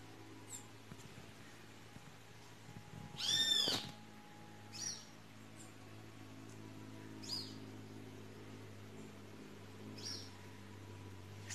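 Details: A great kiskadee (Pitangus sulphuratus), being held and released by a person, gives one loud, harsh, screechy call, followed by four faint, thin high squeaks spaced a few seconds apart, over a steady low hum.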